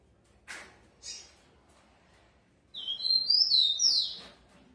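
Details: Captive-bred rufous-collared sparrow, described as very fast. Two brief knocking clicks come first, then the bird delivers one high whistled phrase of slurred notes.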